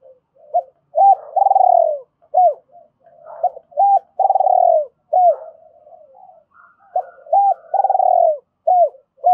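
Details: Decoy spotted dove cooing in the two-ending style to call in wild birds for trapping: three phrases of short arched hoots around a long, burry, descending coo, spaced about three seconds apart, with soft lower murmurs between.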